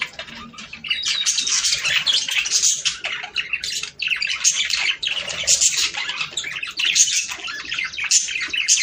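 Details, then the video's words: Budgerigar birds singing to stimulate breeding: dense, continuous scratchy warbling and chirping with high squeaky notes, steady throughout after a quieter opening second. "صوت طيور البادجي ــ تحفيز للتزاوج"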